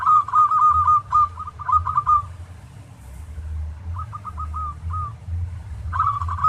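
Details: Zebra dove, local bird, singing on a training recording for other doves: a long stuttering run of quick cooing notes, a pause, then shorter bursts, all at one steady pitch, with low rumbling noise throughout.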